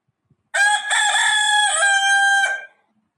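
A rooster gives one loud, harmonic cock-a-doodle-doo crow lasting about two seconds, strained at the start and dropping at the end, with silence around it.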